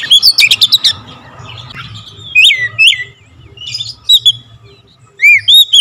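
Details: Oriental magpie-robin song with full variations, opening with a quick rattling burst, then separate loud whistled notes that swoop up and down, spaced about half a second apart, over a soft low hum.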